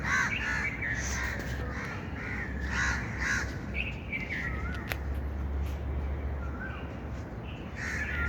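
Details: Bird heard outside with a burst of rasping caws early on, then quieter scattered notes and a brief thin whistle, over a steady low hum and background rumble.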